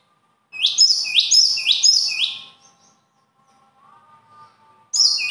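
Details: Bird sings three repeated rising, ringing phrases, then pauses while a soft, thin whistle is heard, before a new burst of song begins.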